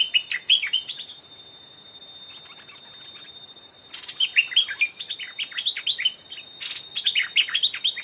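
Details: Stripe-throated bulbul calls near a caged decoy while an old, aggressive wild bird approaches the trap twice. Rapid bubbly phrases of sharp, descending warbled notes in two spells, split by a quiet gap, over a constant thin high whine, with rustling bursts.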